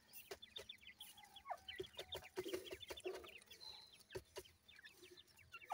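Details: Feeding grey francolin chicks keep up a dense chorus of thin, upslurred peeps, several each second, over a quiet background with a few soft lower notes and clicks.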